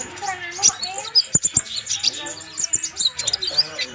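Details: Konin, the purple-throated sunbird, in full song for use as a training master; quick, very high chirps and sharp ticking notes tumble in rapid bursts, accompanied by faint low murmuring.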